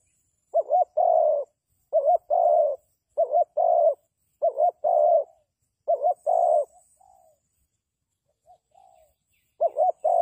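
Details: Spotted dove used as a lure for trapping, giving five regular phrases of a quick doubled note and a drawn coo, then soft trailing notes, a pause, and another phrase; background quiet.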